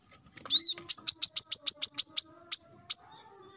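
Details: A slurred arched note followed by roughly ten quick, sharp, high chips that thin out at the end, sung by a male plain-throated sunbird in the morning calling rivals.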